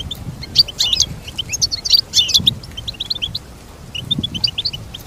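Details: Goldfinch song: a loud, busy burst of mixed chirps and trills at the start, then quicker, softer runs of high notes. Overlapping voices and a low background hum.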